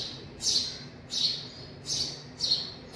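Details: Young house sparrows, a family inside a garage, giving bright high chirps in short bursts, four in three seconds at a steady pace, over a faint low background hum.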